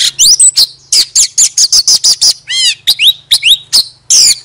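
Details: Oriental magpie-robin decoy song made of quick, bright whistled notes repeated in a steady run. Midway comes a buzzy, falling rattle of stacked notes, over a faint low hum.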